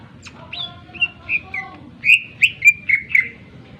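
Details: Sharp song of a Greater green leafbird, meant to provoke other birds into singing and agitation: clear level whistles followed by a rapid series of bright, slurred notes, roughly four per second.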